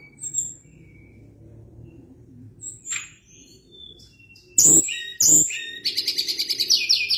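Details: Sunda blue robin calling with scattered thin high whistles over a low hum, then two loud sharp bursts, then a rapid rattling trill of repeated squeaky notes.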